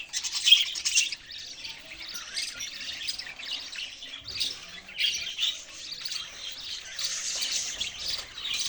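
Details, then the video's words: Budgie chirping, softer and more distant, with a loud scratchy burst at the start, then a quieter run of high twittering and warbling notes broken by short gaps. "parrot chirping sounds"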